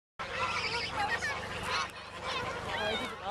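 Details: Canada goose being fed, answering a young girl who talks to it: short honking, nasal calls rising and falling, overlapping her high voice and a few other birds' calls.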